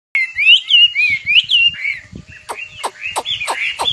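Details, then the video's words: A nightingale sings rich, varied phrases: looping warbled notes, then a run of sharp, rapidly repeated downward-sweeping whistles, about three to four per second. "Singing nightingale. amazing bird song"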